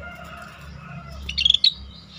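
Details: Singing scaly-breasted bulbul, called rare, recorded to tutor songbirds: after a quiet start, a rapid run of four bubbly chirps and one sharp closing note, with steady low-pitched background noise.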